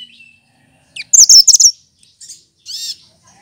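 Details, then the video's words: Cucak kinoy, a green leafbird praised for its melodious voice and imitation of other birds: a faint thin whistle, then a quick stuttering burst of high chirps, followed by softer chattering and a brief warbled note. "Burung Cucak Kinoy!!!Masteran Pintar Menirukan Suara Burung lain"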